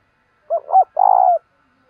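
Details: Decoy spotted dove kept to call in wild doves, cooing in the local 'giọng thổ' style: a quick pair of low mellow notes, then a drawn-out purring coo that falls slightly at the end, in clean silence.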